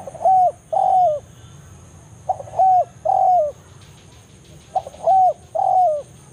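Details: Spotted dove (tekukur) calling in the forest in the banggo style, used as a lure to summon rival doves. It gives three groups of mellow coos, each a short note followed by two longer falling coos, with a faint high hiss behind.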